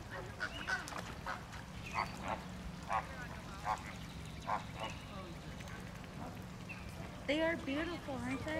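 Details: A noisy group of Caribbean and Greater Flamingos, some fighting, gives short nasal honks at roughly one-second intervals over a low background hum, with a burst of wavering calls near the end.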